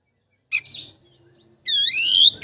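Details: Magpie-robin challenging a rival: a short harsh, buzzy note, a pause, then one long, loud, rising whistled sweep ending abruptly.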